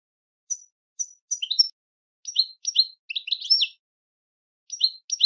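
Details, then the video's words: Scattered high chirps and short two-note chirrups from a European goldfinch, delivered in loose clusters with brief pauses, quiet and clear. "Melodic Marvels: The Captivating Songs of European Goldfinches"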